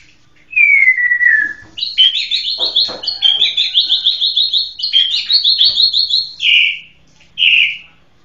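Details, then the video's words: A white-rumped shama gives a descending whistle, then long runs of fast repeated high notes, finishing with two separate husky calls. "SUARA BURUNG MURAI"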